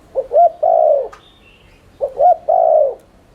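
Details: Spotted dove, a lure to stimulate cooing, giving a three-part coo twice: two short low notes, then a long drawn-out hoarse coo, phrases about two seconds apart, with a faint higher chirp between.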